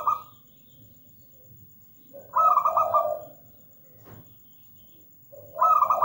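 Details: Local zebra dove perched and singing in full voice: two mellow cooing phrases, each a trilled higher note dropping into a lower purring coo, spaced about three seconds apart, with a faint steady hum behind.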